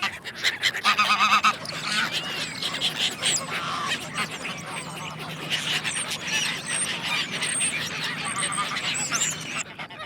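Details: Ducks quacking: a burst of harsh, rapid raspy quacks near the start, then a steady chorus of overlapping nasal calls and honking notes from several birds continuing to the end.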